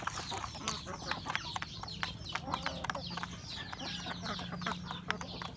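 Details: Rural home chickens, roosters and a hen, feeding at breakfast: a busy stream of short clucks and sharp pecking clicks, with soft high notes scattered above and a steady low hum underneath.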